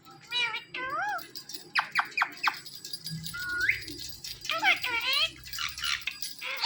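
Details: Pet Indian ringneck parakeets in conversation, said to repeat the word Mittu; a run of harmonic, bent, speech-like notes, several sharp upward sweeps, then a rising whistled glide and chattering syllables.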